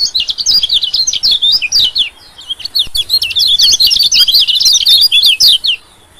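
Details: White-eye call played to lure small birds: long runs of quick, high-pitched, jittery chirps in two close bursts that fill most of the recording.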